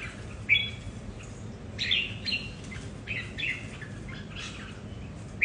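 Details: Several red-whiskered bulbuls kept at home, competing over territory, each with its own temperament; short sharp chirped phrases around the upper-middle register, spaced irregularly with gaps, over a steady low hum.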